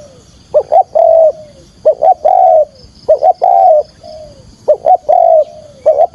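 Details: Spotted dove calling to lure birds for trapping: rhythmic phrases of two brief coos and a long fading note, five times in quick succession.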